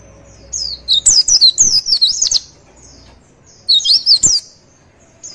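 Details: Javan white-eye song used as tutor and lure recording to make birds answer and learn: two bursts of rapid, high, sweet twittering notes sliding up and down, separated by a short pause over faint low hum.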